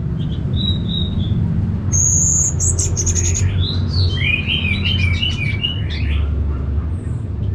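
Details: Orange-headed thrush, a kept bird in Singaraja, North Bali, Indonesia, singing loudly after a recording is played: clear whistled phrases, then a quick run of high, sliding, varied notes, over a steady low hum.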